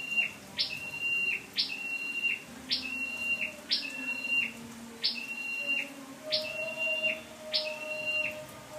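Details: Lure-bird scarlet-backed flowerpecker recorded 12/10/14: a rapid run of about nine shrill calls, each a sharp upward note then a brief level whistle, under a second apart, with soft low background sounds.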